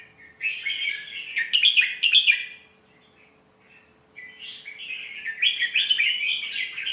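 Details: Song of a red-whiskered bulbul, used for tutoring young birds: loud, fluty warbled phrases with sharp accented notes, a silent gap of about a second, then another long run of bright, rollicking whistles.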